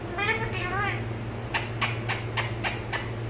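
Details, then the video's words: Talking pet parrot, Malayalam mimicry: two quick harmonic, speech-like syllables at the start, then six evenly spaced sharp clicks about every quarter second, low hum underneath. "PARROT TALKING MALAYALAM ഇങ്ങനെയും സംസാരിക്കുന്ന തത്തകൾ"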